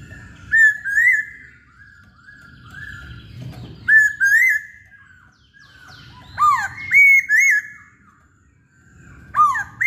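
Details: Masked laughingthrush singing actively: a wavering whistled phrase repeated roughly every three seconds, ending in loud, quick, bending whistles with a low background rumble.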